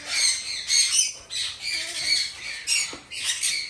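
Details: Hand-fed young Red-shouldered macaws, three captive-bred female chicks in Japan, produce rasping, noisy calls in rhythmic bursts roughly every half second, rising and falling in loudness.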